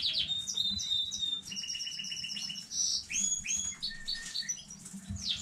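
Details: A newly bred canary sings on 15 May 2019, a varied warbling phrase of high whistles, short repeated notes and quick sliding trills that run on without pause over faint background hum.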